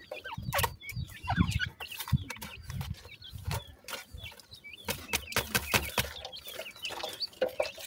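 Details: Dakhni and Sindhi black francolin chicks feeding and playing: short, high, downward-sweeping peeps scattered throughout, mixed with soft low thumps and rustling from handling or movement.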